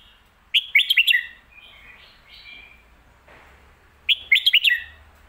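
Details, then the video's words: Two matching red-whiskered bulbul phrases in lak wai / mae bot style, about three and a half seconds apart, each a rapid string of five bright whistled notes, with quiet warbling between them. "ลากหวาย/แม่บทชัดๆ เสียงดี"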